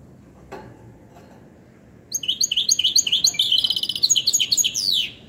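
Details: Caged European goldfinch hybrid singing indoors: after two quiet seconds, a fast run of bright, high twittering notes and buzzy trills, repeated rapidly without pause, in a small room.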